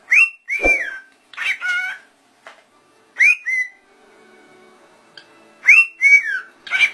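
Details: Talking rose-ringed parakeets, said to speak clearly and say "Allah". Raspy, whistled word-like phrases come in short bursts: a sharp rising note, then a falling drawn-out syllable, repeated three times with brief gaps.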